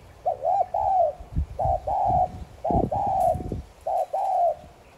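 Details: Spotted dove giving 'thúc gù' style cooing, played to stir other doves into cooing: soft hollow three-part coos, two short notes then a longer drawn note, repeated about once a second, with low thuds and knocks beneath.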